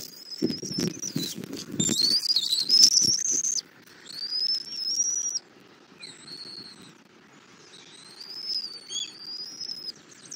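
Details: Bald eagle at a nest in Southwest Florida, filmed by a nest cam at 11:00 on 2024-02-08 as an adult brings a catfish and feeds an eaglet; wing flapping and rustling at first, then thin, high whistled phrases that waver up and down.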